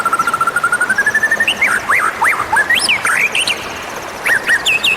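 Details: Wild Oriental magpie-robin, recorded as a lure for attracting wild birds: a long, steady whistled note slowly rising, then a quick run of looping, warbled whistles and brief twittering phrases.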